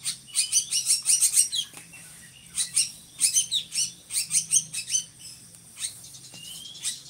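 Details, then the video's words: Drongo used as a tutor bird by Indonesian keepers, its voice loud and monotonous: quick runs of grating high chips, brief pauses, and a single rising whistle near the end. "SRIGUNTING GACORRR"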